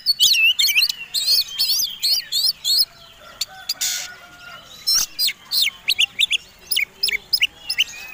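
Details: Fighting Oriental magpie-robin's combination song, played as a lure to set other birds singing: looping whistled notes with sweeping up-and-down phrases, broken by a harsh burst, then a run of sharp rising chirps.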